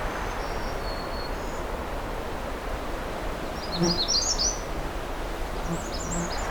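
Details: Magnolia Warbler singing close to the recordist on an afternoon at Pine Tree Point Nature Reserve near Pine Tree Harbour; a brief burst of high, sweet, quick notes midway, faint high chirps from other birds, steady wind-like hiss throughout.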